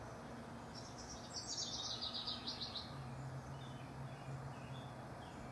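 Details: House wren rivals recorded June 12–24, 2015; a single rolling, bubbly chatter of high notes lasting under two seconds, then quieter scattered chirps, over a faint low hum.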